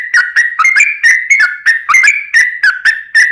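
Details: Yellow-vented bulbul in energetic 'ropel' song, meant to spark other bulbuls into singing: fast liquid whistles jumping between two pitches, about four notes per second, warbling without pause.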